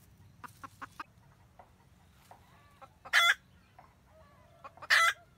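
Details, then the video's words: Red junglefowl hen cackling to call the male while guarding her nest, recorded 2020-2021: a few quick soft clucks early on, then two loud harsh rasping bursts about two seconds apart over a low steady background hum. "Gà mái rừng cục tác gọi trống canh tổ"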